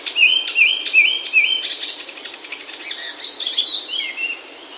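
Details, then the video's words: Himalayan oak woodland birdsong from Himachal, India: a run of short whistled notes repeated in quick succession, stepping along, followed by softer warbling that trails off. "Himalayan Oaks Alive with Birdsong"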